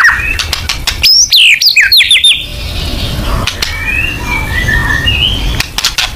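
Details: White-rumped shama lure song in the 'nembak' style: a short, loud tumble of sweeping whistles and swoops, followed by soft, distant whistled phrases over background noise.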